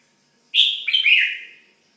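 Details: A single lively phrase from a pet red-whiskered bulbul: a sharp bright note, then a run of rolling, slurred whistles fading downward over about a second.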